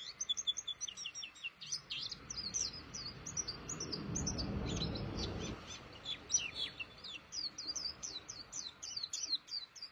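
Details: Caged pleci (white-eye) in full song: rapid, high, scratchy chirps and twitters, partly masked by a low rumbling noise in the middle before the song carries on.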